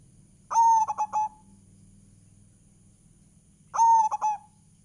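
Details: Indonesian local zebra dove (perkutut) singing vigorously as a lure for other birds. Two matching phrases about three seconds apart, each a held coo followed by a rapid run of short notes. A low rumbling hum runs underneath.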